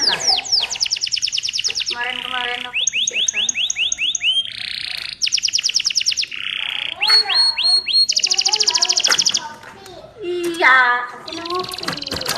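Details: Lively canary song used to prompt other canaries to sing: varied phrases switching between rapid high trills, buzzy rolls, and lower slurred notes, with brief pauses between sections.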